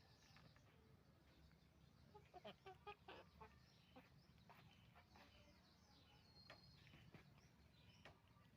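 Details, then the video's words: Roosters and hens on a chicken farm, a dense chorus of short overlapping clucks and squawks from many birds over a steady low hum. "Moment of the sound of a chicken farm, roosters and hens making noise"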